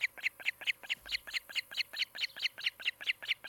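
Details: Osprey at its nest in Charlo, Montana, on a nest camera, afternoon of 16 July 2018; a pair nesting near a great horned owl family. About fifteen high, slightly harsh chirps come in a fast, even run, roughly four per second, over a faint low hum.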